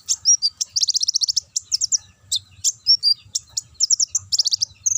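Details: Konin sunbird in the ngobra chattering style, a lure song to draw birds into singing: fast trills of sharp, high tweets in bursts, separated by single chips, continuous and busy throughout.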